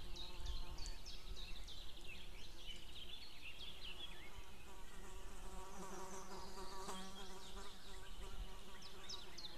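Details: White-tailed eagles recorded 2 May 2016, female calling and male calling from a distance, then both together: long bouts of high, rapid, chevron-shaped yelps with a harsher chattering stretch midway, against low droning noise.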